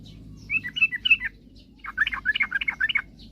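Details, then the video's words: Sooty-headed bulbul singing actively, used to provoke rival birds into singing quickly: two bursts of quick, liquid chirping notes, the first short, the second longer and denser after a brief pause. "suara kicauan trucukan gacor..paling jago memancing lawan agar cepat bunyi"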